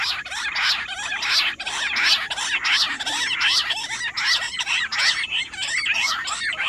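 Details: Rock bush quail in full nonstop voice, 18 July. A loud, harsh, squawking chatter rises and falls in bursts roughly every second, many calls overlapping throughout.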